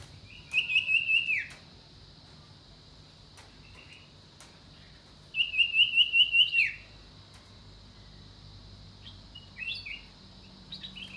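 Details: Common iora giving two bursts of rapid, evenly repeated high notes, each run of about seven notes ending in a short downward slur, separated by a pause, with faint scattered chirps afterwards.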